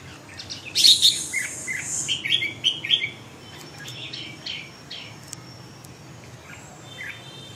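A Red-whiskered Bulbul gives a quick run of bright, bubbly chirping notes over about two seconds, then softer scattered chirps follow against faint background hiss.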